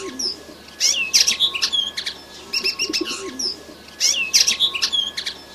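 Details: Red siskin chick in vigorous song, delivering quick twittering phrases of high chirps, rising whistled slurs and brief buzzy notes, the same phrase returning after a short gap, with a faint lower chatter beneath.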